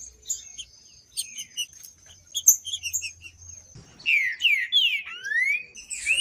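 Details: Green-winged saltator singing to stir cold, silent saltators into song: scattered high chirps and a thin steady tone give way to a run of loud, rich whistles slurring downward in quick succession.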